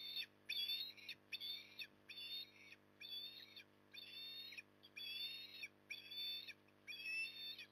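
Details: Evening feeding by an osprey at Port Lincoln, Australia, October 2020: eight or nine high, wavering whistled calls repeated roughly once per second, fairly regular, with a continuous low hum behind.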